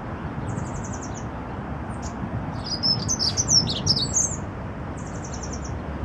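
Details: In the garden of Notre-Dame cathedral, Paris, a singing Dunnock gives a high, hurried, jangling warble under two seconds, with quick thin repeated notes before and after, over a steady low rumble.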